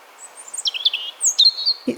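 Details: European Robin singing its autumn song in a Hampshire, UK garden in 2020, to defend territory: thin, high, wistful phrases of sliding and trilled notes, less rousing and somewhat sad, with a brief low thump at the very end.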